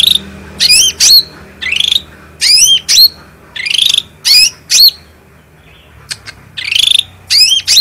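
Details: Black-headed bulbul singing strongly, a master recording for training birds: spaced, slurred rising whistled phrases with sharp upswept notes, a pause midway, then more phrases; faint low hum in the background.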